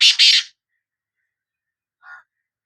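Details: Sindhi black francolin (kala teetar) calling: two loud, harsh, grating bursts close together, then a short softer lower note after a pause of well over a second. No other sounds.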